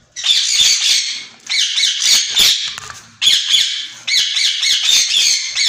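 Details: Captive pair of white ringneck parakeets giving harsh, grating squawks in bursts of about a second each, four bursts with brief gaps between them.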